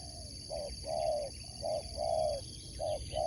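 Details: Sport-competition Spotted dove giving alternating short and drawn-out mellow coos, two phrases in three seconds, with a continuous high whine and distant twittering in the background.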